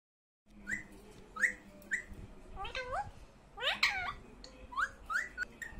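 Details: Pet parrot talking, heard as short rising whistled notes and a few harmonic, voice-like bursts spaced through the clip, with brief gaps between calls and a faint background hum.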